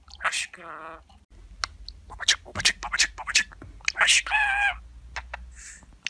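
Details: Talking pet budgerigar in a quick, irregular run of high scratchy chatter and clicks broken by brief nasal speech-like syllables with stacked harmonics, heard indoors over a faint low hum.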